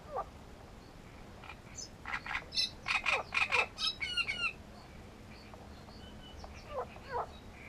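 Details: Great reed warbler near its nest at Grachevka. A harsh, grating song builds from scattered croaks into a dense run of rasping, repeated notes, then trails off into a few isolated calls against steady background noise.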